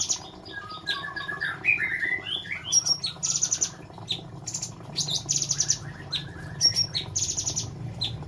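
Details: Caged sooty-headed bulbul offered for sale in the Semarang area, giving short whistled, slurred notes followed by bursts of sharp high chirps and clicks, with pauses between phrases and a low background hum.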